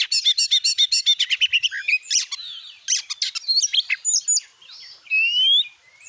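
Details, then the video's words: Lure song of an Oriental magpie-robin, meant to prompt a kept bird to sing: a fast series of about a dozen harsh clipped notes, then mixed chirps and a drawn-out rising whistle. "jadikan burung Kacer anda cepat gacor dengan pancingan burung Kacer ini"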